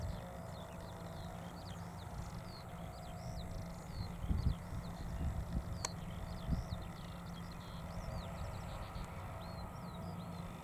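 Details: Skylark flying over a field near Balsham, UK, shortly before 1 pm on 30 March 2021, its distant song a faint, unbroken stream of high chirps and slurred notes, beneath a strong low rumble and a steady hum.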